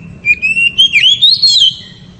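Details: Brief, loud oriental magpie-robin phrase sung to excite a female: a fast run of clear, ringing whistles that climbs steadily in pitch, broken into quick pulses, then fades away.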